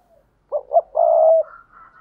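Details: Spotted dove cooing, a recording used to lure wild doves: two short hooting notes followed by one long, steady, low coo, then a faint thin higher tone trailing off.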